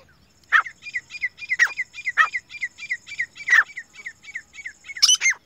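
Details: A pair of grey francolins, including a female, calling in the jungle: quick, shrill notes repeat about four times a second, broken by five louder, harsher calls. Nothing else is heard.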